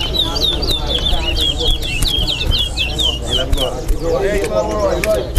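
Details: A chestnut-bellied seed finch (towa towa) in a Guyanese singing competition sings a rapid run of high, slurred notes, then falls silent, while a crowd murmurs and counts.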